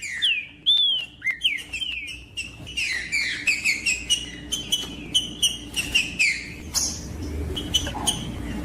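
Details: Trinca-ferro, the green-winged saltator, singing to stimulate a cold bird: rapid series of bright whistled notes, sliding up and down, delivered in a steady run with short gaps and a few sharp ticks.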